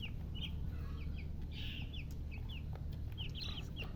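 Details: Baby chicken chicks crying with thirst for water, giving bright, high, descending peeps in quick bursts, several birds calling together against a constant low droning noise.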